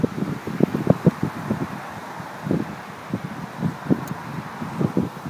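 Low rumbling wind and irregular muffled thumps from handling or movement fill the recording, with no animal calls heard.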